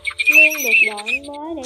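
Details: A Pheasant-tailed jacana in a recording used as a lure for night net-trapping during the August 2023 migration season gives nasal, mewing calls that slide down and rise again, with a bright, reedy edge, over about a second and a half.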